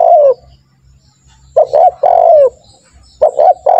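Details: Spotted dove call played as a lure to get doves calling: a long descending coo ending one phrase, then a full phrase of two short hoarse coos and a drawn-out falling coo, with the next phrase starting; low hum in background.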